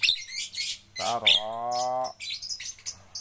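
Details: Javan myna in song training: rough hissing chatter, then one long steady nasal note with many overtones, then more scratchy chatter, with a faint low hum throughout.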